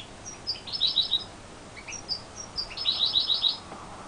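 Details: A first-year European goldfinch hybrid sings two bright bursts of rapid, tinkling twitters, high and liquid, each under a second, against a faint background hiss.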